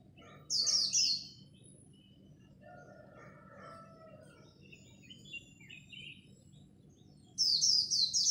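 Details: Competing at dawn, a Japanese white-eye sings in the khuyên líu style, used to rouse newly caught birds: a loud, high, rapid trill opens, soft twittering and thin whistles follow, then another shrill burst closes, over faint hum.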